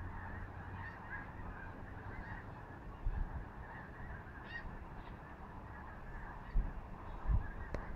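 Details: Large formation of geese flying over Skagit Valley, Washington State; continuous clamour of many honking birds, interrupted by several low thumps and a brief sharp click near the end.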